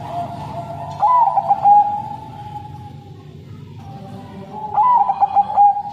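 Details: Caged Bangkok crossbred zebra dove with a long, sad-sounding song. It gives two bursts of rapid, warbled staccato coos over a steady droning hum, with other doves singing along in the background.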